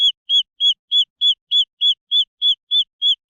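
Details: Young green junglefowl calling: crisp, high single cheeps repeated evenly about three times a second, each a short arched note, the background silent.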